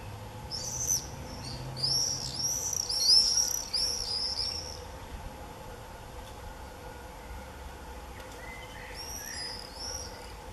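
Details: Common swifts (Apus apus), early July 2018, give shrill, high buzzy screams in a rapid burst over the first four seconds, then fainter screams near the end over low steady background hum.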